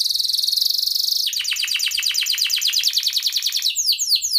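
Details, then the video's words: Ngerek-style canary song, played as a lure for silent canaries: a high buzzy rattle gives way to a quick run of sharply descending chirps, ending in doubled swooping notes. "Kenari gacor NGEREK Cuit cuit EMOSI"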